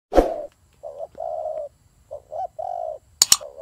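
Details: Turtle doves fighting: a low, hollow coo repeated in short phrases of about half a second, broken by a sharp burst at the start and crisp clicking near the end.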